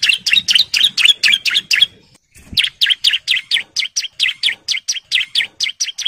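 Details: Breeding-condition male bar-winged prinia calling females, ngebren song: long runs of quick, sharp, high chirped notes about four per second, briefly interrupted once, then continuing just as fast and loud.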